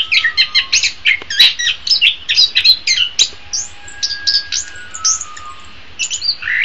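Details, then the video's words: Orange-headed thrush song for training cage birds: quick bursts of clipped chirps and whistles in rhythmic clusters, with brief gaps and a faint sustained tone in the background. "Masteran Terbaik Anis Kembang"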